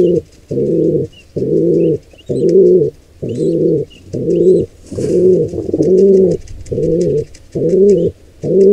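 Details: Long run of pigeon coos at a nest of wild birds where an intruder pair attacks a squab. About ten low, even coos follow one another at roughly one per second, with a brief soft rustle midway.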